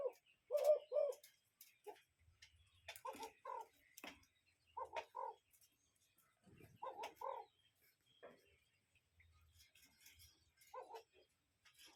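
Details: A cuckoo calls outdoors in short clusters of two or three soft hollow notes, spaced a few seconds apart, over scattered faint clicks and distant chirps.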